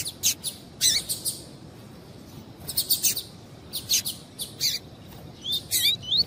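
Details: Female double-collared seedeater calling to excite the male, tui-tui style: clustered harsh, broadband chip notes repeated in quick bursts, with a few thin rising whistles at the end.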